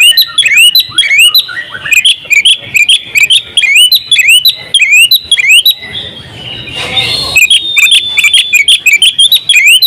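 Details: Full-fill-in ngobra song from a champion oriental magpie-robin: rapid repeated rising whistles and sharp chips, a brief burst of rushing noise midway, then the bright upslurred phrases resume.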